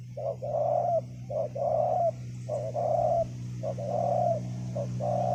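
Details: Strong-voiced wild spotted dove at a ground decoy site, singing paired coos, a brief lead note then a longer rolling coo, repeated about once a second over a steady low mechanical hum.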